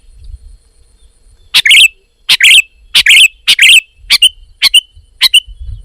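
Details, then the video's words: Sooty-headed bulbul in lively voice, singing a run of about eight bright, slightly buzzy notes. The first ones come in close pairs, then single notes follow at about half-second intervals over four seconds. "Kicau Burung Kutilang Gacor"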